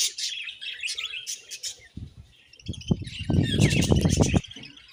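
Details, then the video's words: Budgies chirping in rapid high twitters and squeaky warbles, with a burst of loud low rustling and flapping midway. "Beautiful Budgies Chirping Sounds"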